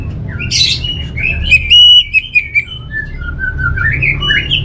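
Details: Orange-headed thrush song: a varied run of whistled and buzzy phrases, with a loud burst of sharp, clipped notes near the middle. A softer continuous bird chatter sits underneath.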